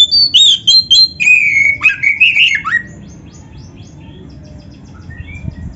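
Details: Oriental magpie-robin singing energetically, a master recording for training other birds: quick sequence of high whistles and descending slurs for about three seconds, then quiet with only faint distant chirps.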